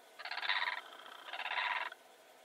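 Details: Two harsh, rattling calls from a Blue crane, each lasting roughly half a second with a brief gap between, the second slightly longer; rich layered tones over a quiet background.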